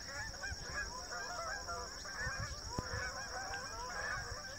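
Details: Flock of Canada geese flying in migration formation above Rochester, New Hampshire: many nasal, two-note honks overlap in a continuous chorus, over a low rumbling background and a steady high-pitched electronic whine.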